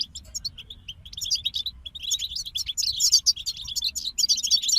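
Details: European goldfinches in a group sing a steadily building, busy twitter: scattered chips at first, then dense tinkling and buzzy notes continuing loud to the end.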